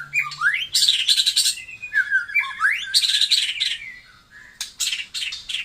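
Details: White-rumped shama of the Taiwan type singing: loud varied phrases mixing clear whistles, upward-sliding notes and rapid buzzy, rattling bursts, with brief pauses between phrases.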